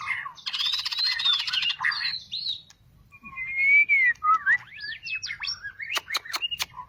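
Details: White-rumped shama, a cage bird just finished its two-month moult, singing: a burst of rich whistled phrases with rapid trills, a long clear whistle, then a varied run of sweeping notes and sharp clicks.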